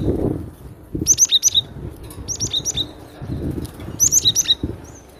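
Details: Loud song of a cinereous tit (glatik batu): clusters of three or four sharp, high descending whistles, repeated about every second and a half, with dull low knocks and rustling in the background.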